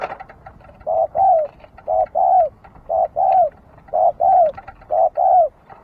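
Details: Dove repeating a clear two-part coo, a brief note followed by a longer downslurred one, evenly spaced about once per second.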